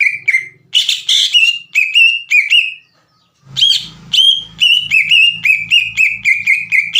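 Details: Green leafbird in full song, played to goad rival leafbirds into answering: bright whistled phrases of short rising and falling notes, a brief pause near three seconds, then rapid repeated whistles over a low background hum.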